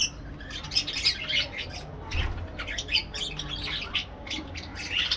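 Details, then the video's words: Parakeet calls in quick, scratchy bursts, short squawks and chirps from more than one bird, broken by brief pauses, over faint low background noise. "parakeet sounds"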